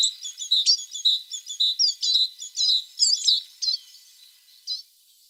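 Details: Tit song of high, clear chirps and short twittering phrases that come quickly at first, then thin out to a few scattered notes before fading to quiet.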